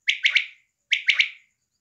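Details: Female quail (batair) recorded in Pakistan in a small-hunting setting: two bursts of three sharp, bright, chirping notes in quick succession, the second burst following about a second later, with a clean, quiet background.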